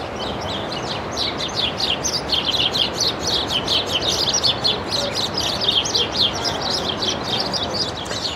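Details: House sparrow chirping beside a morning walk through residential streets of La Jolla, San Diego, California: bright, rough chirps about four a second, loud and close, over steady wind or traffic rumble.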